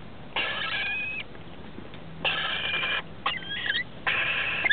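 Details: In a roof-space nest on 23 October 2013, rainbow lorikeet young aged 21 and 17 days are fed by adults; four drawn-out, grating, buzzy bursts about a second apart, one carrying a thin rising whistle, with a faint low hum.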